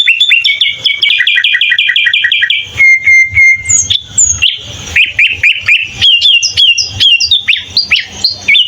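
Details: Sooty-headed bulbul singing full fill-in phrases for use as a training master: a fast rattling series of stacked notes, a steady level whistle, then varied bright chirps and slurred whistles crowded closely together with little background noise.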